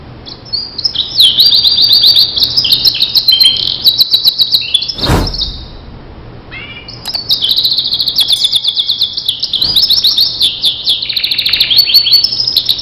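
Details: Starblue canary singing as a tutor for other canaries: long runs of high, rapid trills and chirps, broken near the middle by a sharp click and short pause before the bright trilling resumes.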